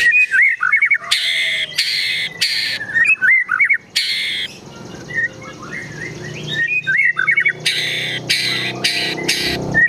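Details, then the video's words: Agitated white-rumped shama, gacor emosi style, with besetan and tembakan phrases: loud harsh rasps repeated between short whistled phrases, a quieter jumbled chatter in the middle, then more rasping bursts. "Murai Batu Gacor Emosi Isian Besetan Tembakan Sogon, Kunti Dll."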